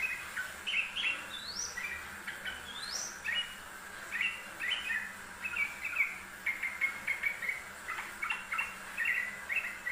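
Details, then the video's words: Yellow-vented bulbul, recorded as a master for training birds, sings cheerful chattering phrases of liquid notes, with two high rising whistles early on, then a rapid run of bubbling notes, against steady background hiss. "MASTERAN TRUCUKAN RAJIN BUNYI || kicau burung trucuk rajin bunyi"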